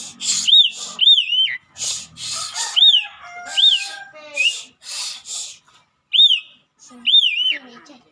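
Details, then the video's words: Asian pied starling, said to sing especially on seeing people near its home; clear arched whistles rising then falling, alternating with harsh rasping bursts, a few lower sliding notes in the middle, phrases about every half second. "gacor suara jalak suren"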